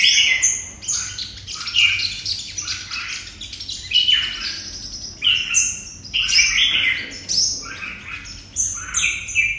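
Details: Red-whiskered bulbul, Vietnam, singing 'hút mật' style song: lively bursts of rapid, chattering whistled notes grouped into phrases every two seconds or so, high and bright.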